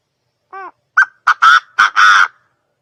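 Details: Quail calling with a soft, tonal opening note followed by five loud, harsh, raspy bursts, the last one longest, over about two seconds with silence around.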